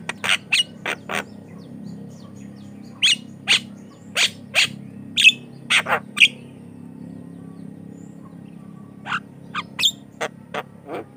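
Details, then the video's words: Javan myna song used to lure and teach other mynas, given as spaced sharp clicks and short piping whistles in loose clusters separated by pauses, over a steady low hum. "COCOK UNTUK PANCINGAN JALAK KEBO BAHAN || jalak kebo gacor calon pemasteran"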